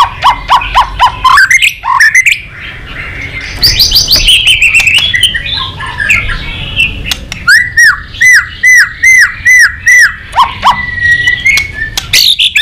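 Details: White-rumped shama singing excitedly with tail flicking and clicking, a many-voiced song: quick sharp notes, then rising whistles and a run of bright downslurred notes repeated about twice a second, ending on a level whistle.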